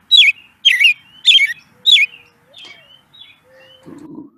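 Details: American Robin, a thrush able to sing two notes at once with its paired vocal cords, giving fluty tones: four loud caroling phrases in quick succession, then faint thin whistles, a low hum and a muffled rustle.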